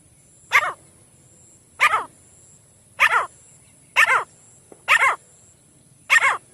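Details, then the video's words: Partridge (teetar) calling, a series of loud harsh broadband notes repeated roughly every second, six calls in all, against a quiet background. "तीतर ना आने वाला बेस्ट आवाज। The best sound of the partridge not coming | partridge voice"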